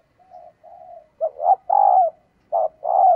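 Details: Female spotted dove calling males, opening with two quiet soft coos, then louder short hoots each followed by a long level coo.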